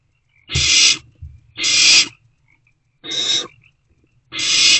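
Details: Barn owl owlet swallowing a just-delivered rodent in its nest box at night; four coarse hissing calls at uneven intervals, with soft low thumps and shuffling between them.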